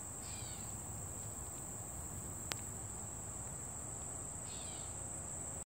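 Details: In a sunny summer meadow, a bird gives two brief descending chirp bursts, one at the start and one near the end. A constant high insect whine, a sharp click midway and a low rumble are also heard.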